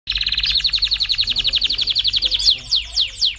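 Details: Canary singing loudly and forcefully: a fast, even trill of high, sharp notes repeated about four times a second, then a few slower, longer sweeping notes at the end.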